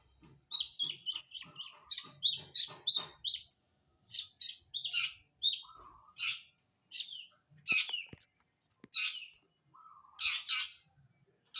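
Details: Morning bath of a long-tailed shrike: rapid strings of high chirps and scratchy, squawky bursts in rough phrases, with lower short whistles between them and a few pauses.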